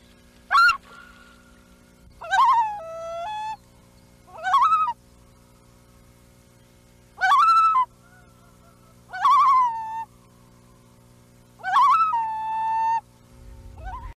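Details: Loons giving a series of six rising, mournful wails, each sliding up then holding a long level note, spread over fourteen seconds against a faint steady hum.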